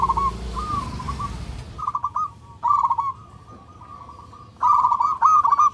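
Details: Zebra dove of a local strain calling for a mate, a loud, clear singer: quick purring coo phrases with brief gaps, a softer stretch mid-way, then two strong stuttering bursts near the end; low background hum at the start.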